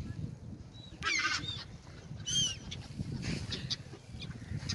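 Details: Gulls eating bread on the Oder river in Frankfurt (Oder), Germany; a few short high harmonic calls and thin whistled squeals rise above steady low river and traffic rumble.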